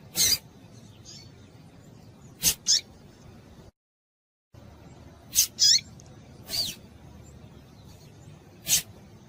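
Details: Calls of a female Double-collared seedeater, played to get males singing: scattered short, high chips and sharp clicks at irregular intervals, some slightly downslurred, with a brief silent gap midway and faint hiss behind.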